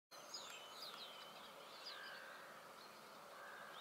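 A male common linnet sings soft, twittering notes with quick rising and falling whistles, set against a steady background hiss.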